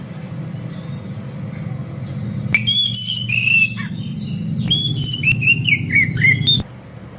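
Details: Oriental magpie-robins singing back and forth at dawn: two bursts of clear, bending whistles mixed with harsh clicks and crackles, the second ending abruptly, set against a steady low droning background.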